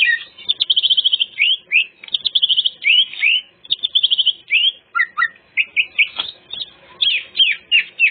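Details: Greater green leafbird full song meant to lure wild birds: quick buzzy trills alternating with sweeping slurred whistles and short chips, packed and varied throughout.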